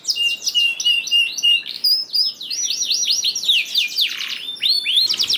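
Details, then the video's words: Song of a canary meant to prompt quiet canaries to sing: sharp repeated chirps with a thin steady whistle underneath, then rolling trills of swooping notes and a deep downward sweep near the end. "PANCINGAN KENARI JAMIN AMPUH LANGSUNG BUNYI SEKETIKA DALAM HITUNGAN MENIT #27 || VOICE OF CANARY"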